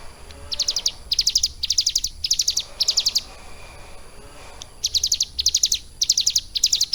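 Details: Caged ciblek gunung prinia, kept and trained roughly three months on lovebird song, singing short bursts of rapid high trilled notes, each burst under half a second, separated by brief pauses, with a quiet gap midway.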